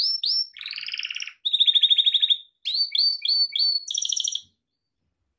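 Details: For training pet canaries, a Gloster canary sings short upslurred whistles, a buzzy low roll, a sharp even trill, then clipped repeated notes and a rattling burst before falling silent.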